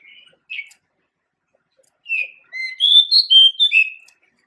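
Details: A male pied bushchat, the small songbird found across Asia, sings sweetly: two short opening notes, a pause, then a fast, rich string of sliding whistled notes jumping up and down in pitch.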